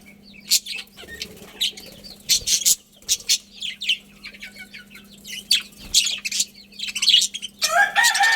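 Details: A budgie colony keeps up lively chatter of high chirps, warbles and short trills in irregular bursts, growing busier and louder toward the end, over a low hum.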